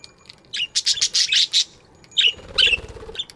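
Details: Budgerigars chirping in an aviary in the morning: a rapid burst of loud, harsh buzzy chirps, then a pause and a few more scratchy chirps over a faint low rumble.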